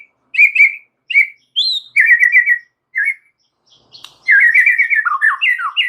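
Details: Gacor song of a white-rumped shama (murai batu), extra chattery and full of varied phrases. Short whistled notes and quick trilled clusters lead into a long run of rapid warbled notes and sweeping slurs.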